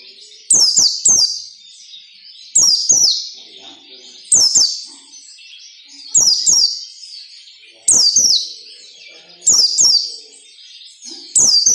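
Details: White-eye singing ngalas nembak, intended to train captive white-eyes: a steady high warble broken about every 1.7 seconds by loud bursts of paired sharp clicks and falling whistled sweeps, repeated seven times.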